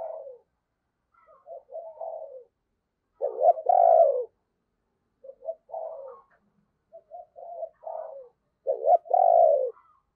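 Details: Spotted dove decoy with a deep 'giọng sấm bầu' voice, calling to draw in wild birds: repeated phrases of short low coo notes, each closing in a loud, hoarse, drawn-out coo, about every five seconds.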